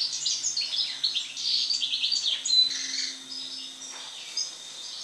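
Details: Goldfinch after the moult singing a continuous, rambling twitter of high liquid notes and short buzzy trills, loudest in the first half and easing off toward the end.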